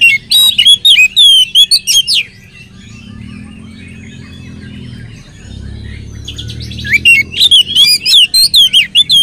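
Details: Oriental magpie-robin in energetic song meant to draw other magpie-robins into singing; two long runs of loud, rapid, sharply slurred whistles with a quieter, softly murmuring gap between them.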